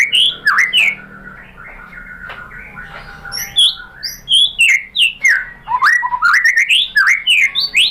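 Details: White-rumped shama lure song intended to make a bird reply and sing: loud rising and falling whistled phrases, some clipped, others swooping, delivered in quick irregular bursts with faint soft notes between.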